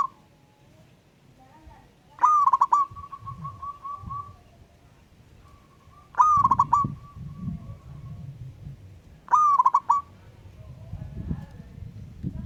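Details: Zebra dove of local wild stock, singing ngayer style to challenge a rival. Three cooing phrases come roughly every three and a half seconds, each a short stuttered burst, some trailing into a long held tone, with low rumbling background.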